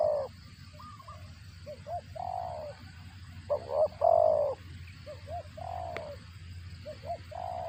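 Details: Spotted dove while feeding its chicks, giving a cricket-like call: short, low, hoarse notes and brief clipped pairs, irregularly spaced, over a steady high hiss and low rumble.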